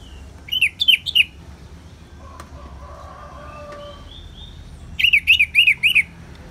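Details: Orange-headed thrush singing in the ngeplong style, recorded as therapy with natural rain: two bouts of four or five bouncy, looping whistled notes separated by about four seconds of quiet, soft background hiss.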